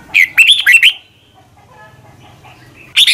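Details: Red-whiskered bulbul morning song used for training birds: one quick phrase of four or five bright, sliding notes, a pause, then the start of the next phrase.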